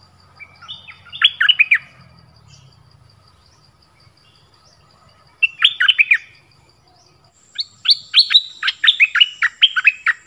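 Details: Nok dok taeng bird in Thailand singing many song styles: three separate bursts of rapid, descending whistled notes spaced by long pauses, the last burst longest with about ten bright notes, with faint steady high hum behind.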